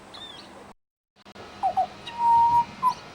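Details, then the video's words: Pied butcherbird mimicking other birds at a bird sanctuary: a few short mid-pitched notes, then a long steady fluting whistle and a brief closing note, after a moment of silence. "Amazing mimicry by Pied Butcherbird"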